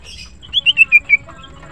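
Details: Green cucak, the greater green leafbird, kept in a cage and singing in the morning: five loud clear whistled notes, each dropping slightly in pitch, spaced evenly in quick succession.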